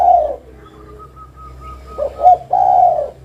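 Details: Spotted dove cooing: low, hoarse coo notes, a short double note, then a longer drawn-out coo, with a faint thin whistle running steadily in the background.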